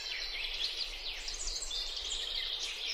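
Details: White-eared sibia in Bogor: a dense run of high, chattering chirps and quick swept notes, overlapping as if several birds are calling together, over a steady background hiss.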